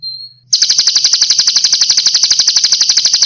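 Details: Sunbird song from a training recording for cage birds: after a brief thin whistle, a loud, rapid buzzy trill of evenly repeated notes, about four per second, runs without a break.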